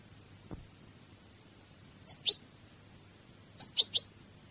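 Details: European goldfinch in a Cádiz song recording giving sparse, high, sharp double and triple chip notes, with long gaps between groups and a soft thud near the start.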